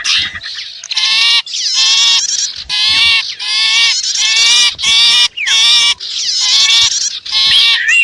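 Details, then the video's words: Blend of sipu and prenjak calls used to entice wild birds nearer: repeated harsh buzzy chatter bursts with strong harmonics, each under a second, interspersed with quick downward-sliding notes. "Suara Ampuh Pikat Burung Kecil"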